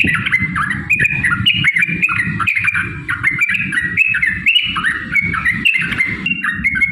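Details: Yellow-vented bulbul (trucukan) fighting song used to provoke rivals: a continuous stream of quick, stepping warbled notes for seven seconds over constant low rumble.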